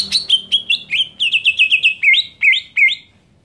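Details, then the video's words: Greater green leafbird scream meant to provoke other leafbirds: about fifteen sharp notes, first varied and high, then a quick even run, closing with three spaced, lower, upswept notes. "JERITAN CUCAK IJO BIKIN EMOSI IJO LAIN"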